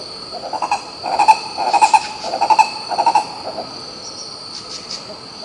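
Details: Green ibis recorded at Pirenópolis in Goiás, Brazil: a series of short, resonant notes in quick groups of two to four, building then fading out, over a constant shrill insect hum.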